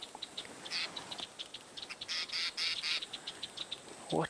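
Southern black tit giving harsh, buzzy churring alarm notes in quick bursts, several a second, with a soft human voice in the background.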